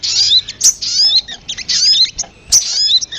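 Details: Sogon lure call of high, thin, downward-slurred whistles and sharp chirps in close-packed phrases.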